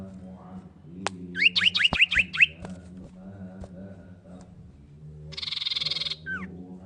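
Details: Female common iora calling the male with a rapid burst of about seven sharp, down-slurred whistled notes, along with clicks, a steady low hum and a later electronic buzzing tone.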